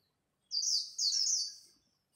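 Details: White-eye singing líu at dawn, competing: one high, bright warbled phrase in two connected parts lasting just over a second, clear against a silent background.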